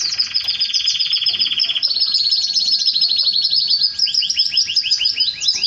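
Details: Canary song during mating with its female: dense high rolling trill with a lower buzzy layer at first, shifting into quicker chopped phrases and downward-slurred repeated notes.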